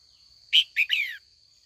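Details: A trained female red-whiskered bulbul calls in the afternoon to draw old wild-caught males into dueling song. One crisp three-part phrase sounds: a loud chip, a clipped note and a downward-sliding warbled tail, backed by a continuous high electronic-like hum.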